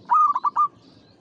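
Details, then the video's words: Zebra dove of a local strain, known for frequent singing, gives one mellow cooing phrase: a drawn-out coo followed by three quick rolling notes. "SUARA PERKUTUT LOKAL GACOR"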